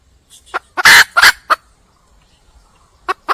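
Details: Red junglefowl hen calling for a male in the wild: two loud, rough squawks flanked by a few short clucks. After a brief silence, two more clucks follow.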